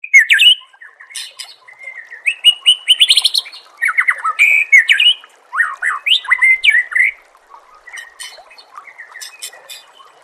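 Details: White-rumped shama (murai batu) masteran song for training caged songbirds: rapid, varied phrases of sweet whistles, upslurs and chattering notes, rising and falling, delivered in dense bursts with brief pauses near the end.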